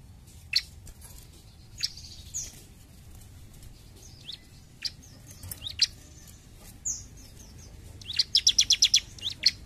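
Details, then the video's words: Bar-winged prinia singing 'gacor jump shoot': sparse sharp high chips and faint thin notes over light background hiss, ending in a quick run of about eight rapid piercing notes. "CIBLEK GACOR JUMP SHOOT"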